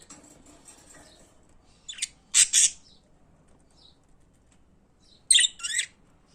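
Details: Pet budgerigars chirping: faint high twittering at first, then loud scratchy high chirps in short pairs, a pause, and another pair of harsh chirped notes near the end.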